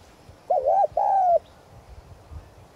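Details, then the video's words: Spotted dove decoy calling to draw in wild doves; a single low phrase: a quavering double coo followed at once by a long, gently falling coo, then quiet. "Cu gáy mồi chuẩn Gáy Gọi + thúc giọng son kích bổi nhanh nổi"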